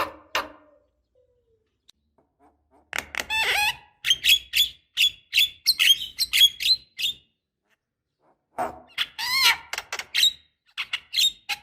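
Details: Black-winged starling, a female calling a male, used as a lure: harsh chattering bursts and short whistled notes near the start, then a quick run of rasping, rising chirps, a pause, and another burst of squawky calls.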